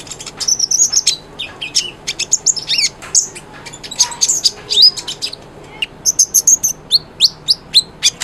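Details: Energetic konin, or brown-throated sunbird, in full song for teaching quiet birds: fast, very high chattering with sweeping notes, a brief lull, then evenly spaced sharp chips.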